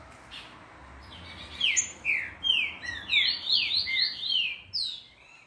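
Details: Green-winged saltator at a breeder, in training, gives a fast string of loud slurred whistles rising in pitch toward the end, about two and a half notes per second.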